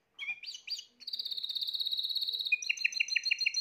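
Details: A few quick chirps from a Spanish Timbrado canary, one of the 2020 birds, lead into a long high bell-like roll, then a run of evenly spaced pulsed notes.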